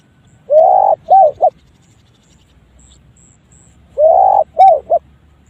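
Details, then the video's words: Strange-sounding spotted dove call repeated twice, each a three-part phrase: a longer rising coo then two short abrupt coos, separated by about three seconds of quiet. "TEKUKUR! SUARA ANEH BARU DENGER KALI INI SEUMUR HIDUP"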